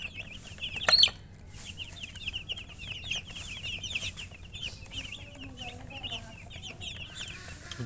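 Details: Chickens chirping steadily, a busy stream of small high peeps, with a louder squeaky burst near the start and faint low rumbling beneath.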